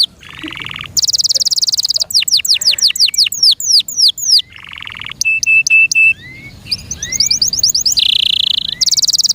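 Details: Varied canary song from a kept bird, mixing harsh buzzy bursts, series of falling whistles, a steady pure tone and fast rolling trills, all loud and close.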